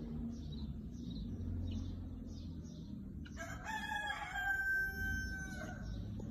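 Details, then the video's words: A red rooster gives one long, harsh crow lasting over two seconds; faint high chirps from small birds come before it, over a steady low rumble. "الديك الاحمر وأخر صياح عندو"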